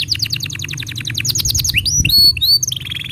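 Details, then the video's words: Tutor song for young and mute canaries: a canary delivers a quick volley of sharp downslurred chips, several bright upswept whistles, then a short buzzy trill. "Masteran Untuk Kenari Paud Dan Pancingan Kenari Macet Bunyi"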